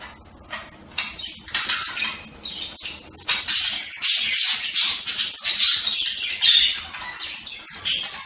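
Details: Budgerigars chattering in quick, rattling scratchy notes, many short bursts tumbling together with a rapid, uneven rhythm.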